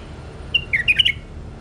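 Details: A bulbul delivers a brief phrase of about five clear, fluty whistled notes in quick succession, bouncing up and down in pitch, against a faint low background hum.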